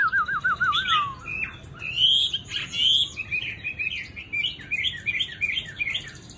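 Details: Tamed Chinese hwamei singing loudly: a wavering, descending whistled trill opens, followed by a quick run of varied bright whistles and chirped phrases with short pauses, with no other sounds.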